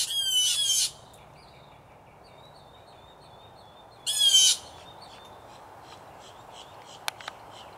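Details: A group of three to five blue jays battling over territory in a tree beside a home: two loud, rasping squawks about four seconds apart, with softer whistled notes and a couple of sharp clicks between.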